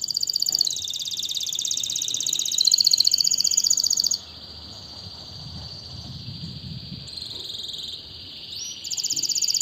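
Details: Canary singing a fast buzzy trill of high rapid notes for about four seconds, then a quieter pause with soft high trills and a final burst; steady low hum beneath.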